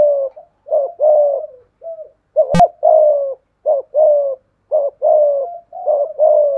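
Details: A decoy spotted dove with a 'thổ pha thúc' voice challenges a wild dove with cooing ('gù'). Deep coos come in short-then-long pairs, with uneven gaps. One sharp click breaks in midway.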